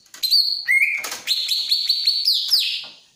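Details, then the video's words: Greater green leafbird in breeding mood, eager to mate, singing a loud run of clear high whistled notes, sliding and stepping between pitches in quick succession. "Suara Burung Cucak Ijo Lagi Sange"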